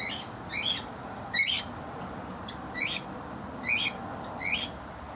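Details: Cockatiels in a large outdoor aviary shared with turquoisine parrots, on a morning of hand feeding and sunbathing, give harsh, squawky calls repeated in short bursts roughly every second.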